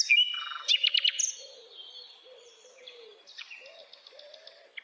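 A nightingale sings a varied phrase of sharp whistles and a quick burst of rapidly repeated notes, then fainter trills. Soft low wavering tones sound faintly underneath.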